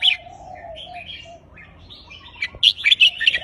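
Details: Red-whiskered bulbul in counted-phrase song: soft lower warbles and scattered whistles build into a loud, fast burst of ringing notes at the end.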